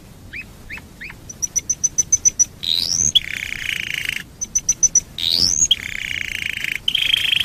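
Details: Domestic canary singing as a lure for other canaries: short upslurred notes, a string of high ticking pips, a rising sweep, then a harsh buzzy trill, the sequence repeated.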